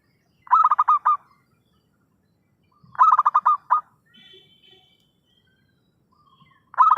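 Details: Zebra dove lure call used for trapping: a lively, rolling burst of quick staccato coos ending in a drawn-out note, repeated about every two and a half seconds, with a faint softer call in between.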